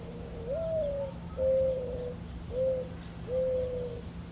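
A Mourning Dove gives its soft, hollow cooing: a slightly rising first note, then three low, even coos about a second apart, over a faint steady hum.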